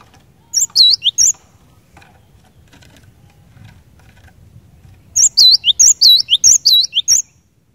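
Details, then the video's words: Cinereous tit singing persistently, a song claimed to make others of its kind start singing: a short burst of sharp whistled notes, a pause of about four seconds, then a longer run of quick high and low alternating whistles. "Kicauan Glatik Batu Gacor Ini Cepat Bikin Glatik Batu Lain Bunyi Gacor"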